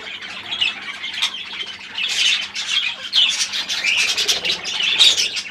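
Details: Pet budgerigars: continuous scratchy chattering and warbling, bursts of harsh squawky notes and brief whistles rising and falling in loudness, with a faint low hum underneath.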